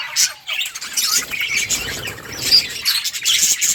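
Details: Playing budgies of varied colours chatter in a continuous high twittering flock sound, with short sharp whistled notes poking out above the steady warbling.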